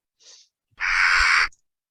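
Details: A Western jackdaw alarm call, one harsh, rasping scold under a second long after a faint, brief high note, signalling danger; played back at jackdaw nest boxes in a study pairing a new person with alarm calls.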